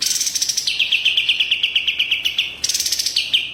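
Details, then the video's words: White-rumped shama singing in the kapas tembak style, a fast run of about fifteen clear, ringing notes repeated evenly at one pitch, framed by brighter, higher bursts of chatter. "Kapas tembak gaspolll"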